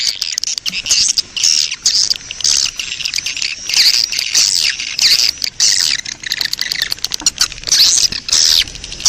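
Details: Swiftlet colony breeding-call sound, played as a lure to draw swiftlets in: dense, overlapping high chittering twitters and sharp clicks. The bursts come in rapid, uneven succession, with short quieter gaps between them.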